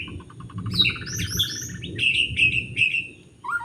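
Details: White-rumped shama singing in forest during bird trapping, Lombok; a fast series of low ticking notes leads into high sweeping whistles and repeated level whistled notes, ending on a lower slurred phrase.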